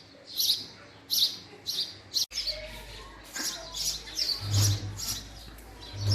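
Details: Male house sparrow with a few clear separate chirps at first, then softer, overlapping chirps over a low hum and background rustle.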